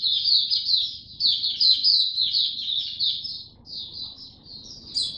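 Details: Song of a kept white-eye, second round of a song-display supplement test, 3 November 2022: fast high-pitched twittering phrases running together, a short break after three and a half seconds, then more chirps and a sharp final note.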